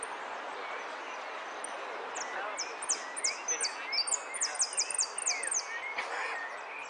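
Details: Jilguero finch placing third in the Zona Norte singing contest of 01 11 15, song style amarillo sin cierre: series of high, sharp descending notes in quick runs, over steady background noise with lower whistles from other birds.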